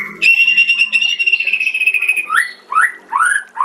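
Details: White-rumped shama master song for training other shamas: a long, steady, clear whistle held for two seconds, then three short rising slurred notes.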